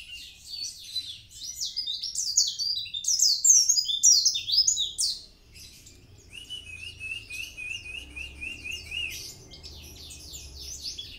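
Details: Mountain white-eye, dagbal kintamani type, singing loud, rapid high twitters in dense bursts, then a steadier series of quick rising chirps, with soft low background rumble.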